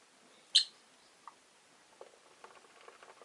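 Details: One of five caged rosy-faced lovebirds by a window utters a single sharp, high chirp, followed by faint soft clicks and scuffling sounds in a quiet room.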